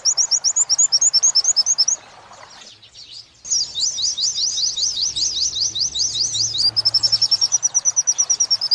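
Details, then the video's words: Oriental white-eye tutor song for captive birds in the wit-wit sambung kunti style. A quick series of high chirps, a short near-silent pause, a long buzzy rattling trill, then steady rapid chirps again. "Masteran pleci wit~wit sambung kunti"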